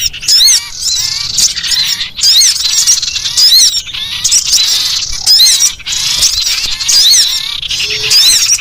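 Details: Threatened collared kingfisher gives a lure-type alarm: loud, rasping, chattering bursts of rapid harsh notes, each burst lasting under a second and repeated about every two seconds, separated by short quieter gaps.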